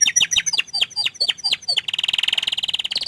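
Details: Canary, shy to show its face, sings a series of sharp downslurred whistles followed by a fast even rolling trill on one pitch.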